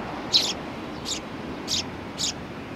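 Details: At a Tenmangu shrine on 18 September 2020, sparrows greeting a visitor give four single sharp chirps about half a second apart against a soft noisy background.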